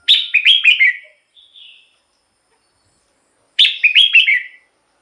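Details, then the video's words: Song of a red-whiskered bulbul, meant to excite birds or draw in wild birds. Two lively phrases of rapid, bubbling, slurred notes about three seconds apart, with a short soft whistle after the first. "เสียงนกกรงหัวจุก สำหรับต่อ หรือ เปิดให้นกคึก เสียงเพราะๆ"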